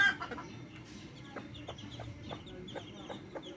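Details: Backyard hens with chicks give soft, low clucks in short broad pulses spaced about half a second apart, with faint high chick peeps above and a steady low hum beneath.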